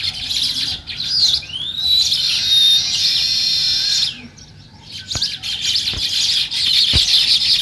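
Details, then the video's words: Morning sparrows give a continuous, dense wall of high chirps with an upward-sweeping whistle near the start, a brief lull around four seconds, and several sharp taps afterward. "Natural Sparrow Chirping Sounds | Morning Sparrow Scene"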